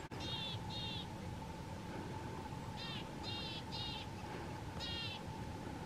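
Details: Loud winter song of a marsh or willow tit at a feeder, 31 January 2022: two paired nasal notes, a pause, then a quick run of three or four similar ringing notes, with steady hum behind.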